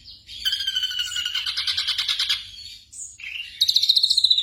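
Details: Song of a black drongo, played at night to train caged birds: a buzzy pulsed trill that rises and falls for about two seconds, a few short notes, then a fast high pulsing burst.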